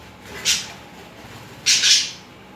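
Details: Budgerigars, a pair mating and making romantic movements together; two harsh, buzzy squawks, a short one and then a longer double burst about a second later, over a quiet room background.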